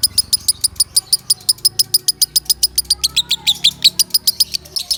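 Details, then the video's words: Loud lovebird song meant for training other birds: steady series of clipped high chirps, roughly five per second, growing busier and more varied near the end, over a low hum. "Suara Kencang Lovebird Sukron | Untuk Pemasteran"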